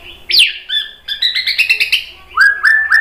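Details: Shama song used to provoke other birds. A high, sharply dropping whistle leads into a run of quick ringing chatter, and three short rising whistles close the phrase.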